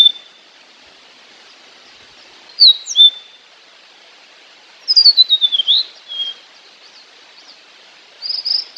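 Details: High, thin chirps from a fork-tailed sunbird, called sulingan or tledekan, in a natural lure recording: a few sliding notes, then a quick descending series of chips, then a final buzzy burst, separated by long pauses.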